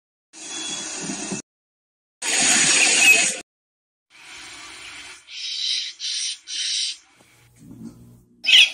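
Violet-backed starling giving two long, harsh rasping bursts, then three short buzzy notes in quick succession and a brief squeaky ending.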